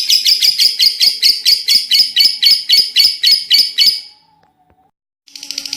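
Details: Gacor lovebird giving long ngekek chattering: a fast, regular run of harsh, rasping chirps, nearly four per second, for about four seconds, then a short silence before the chatter starts again.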